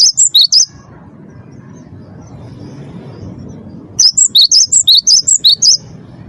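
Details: Cinereous tit song used as a lure to make captive birds sing: a brief burst of shrill alternating whistles, a three-second pause with low background noise, then a longer run of about a dozen rapid high notes.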